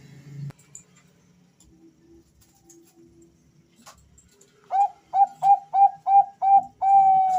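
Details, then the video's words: Two male Bangkok-type zebra doves calling back and forth: after quiet background noise, a rapid run of seven short, mellow, rhythmic coos a fraction of a second apart, ending in one longer drawn-out coo. "suara panggilan dua perkutut Jantan saling Bersahutan"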